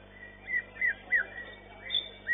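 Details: White-rumped shama in a singing competition, long-tail class: short clear whistled notes near two kilohertz, each slurred down, given about every third of a second, with steady background hum.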